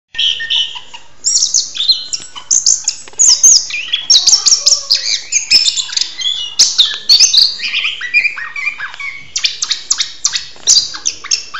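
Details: Oriental magpie-robin singing loudly in a mating ritual: a dense, rapid stream of bright whistles, chirps and harsh buzzy notes, mostly high-pitched, delivered continuously with brief pauses and varied phrases throughout.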